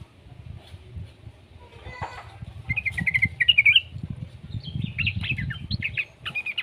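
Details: Juvenile yellow-vented bulbul, a recording used to prompt other bulbuls to sing. Quiet at first, then bursts of high, rapid chirps and short squeaky notes in the second half over a low background rumble.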